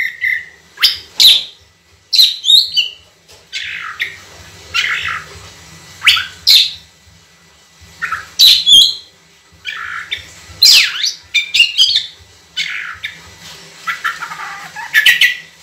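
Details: Oriental magpie-robin in constant song, used as a tutor recording, with long clear bursts of natural voice: loud whistled notes and slurred rising and falling phrases in bursts every second or so, with short pauses and a faint low hum behind.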